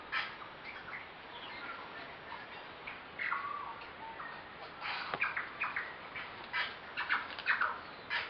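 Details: About eight wild tui socialising in a flowering kowhai tree beside the Karekare falls track, Waitakere hills, West Auckland, in September spring, on a compact camera: bursts of varied chattering, clicking and ringing notes from several birds over steady background hiss.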